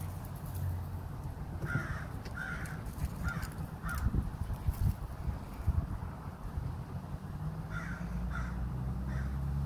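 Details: Crow in Minnesota giving unusual chittering notes: short, slightly hoarse calls in loose runs of two or three, pausing, then resuming, over steady low rumble and background noise.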